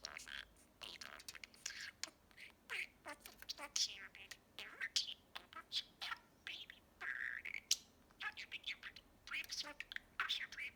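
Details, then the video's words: A pet male budgerigar talking in the evening, repeating learned phrases as rapid, high, scratchy mimicked speech, syllables tumbling in quick bursts with short breaks between phrases. "the Budgie talks up a storm"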